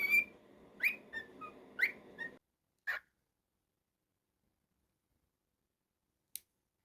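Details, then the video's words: Pet cockatiel whistling briefly: a few sliding whistled notes over a low hum in the first two seconds, one more note near three seconds, then near silence. "Naughty Cockatiel's weekly moments"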